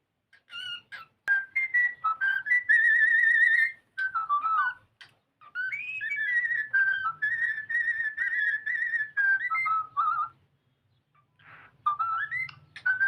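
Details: Pet cockatiel singing while playing: long, nearly continuous warbled whistling with sliding and trilled notes, lasting several seconds at a time, broken by brief pauses.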